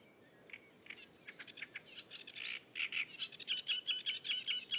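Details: Cigrok in the wild in full song: scattered high chirps build into a fast run of bright, evenly spaced whistled notes, roughly two to three per second near the end, over faint background hiss.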